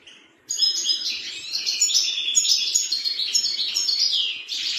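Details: Song of a European serin, called farfar or ver ver: a fast, high-pitched stream of scratchy, jangling twitters and buzzy trills, delivered without pause after a short silence at the start.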